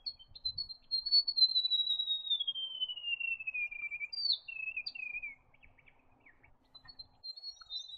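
A white-throated gerygone gives a sweet, high, trilling cascade that slides steadily downward for about four seconds, then a shorter falling flourish, in a quiet setting.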